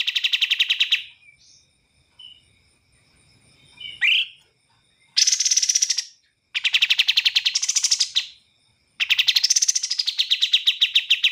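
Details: Bar-winged prinia (kapas tembak) song, clear with pauses: short bursts of rapid, high, evenly repeated chipping notes lasting one to two seconds, broken by silences, with a lone upward-sweeping note between bursts.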